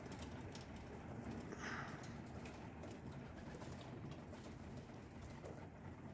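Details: Pigeons at breakfast feeding time, giving low soft coos beneath a steady broadband hum of background noise, with faint brief clicks scattered through.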